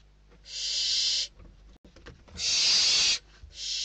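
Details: Barn owl chicks in a nest in Spain battling for a food delivery, 21 December 2023; two long harsh hissing screeches and the start of a third, with light scratching and rustling between them.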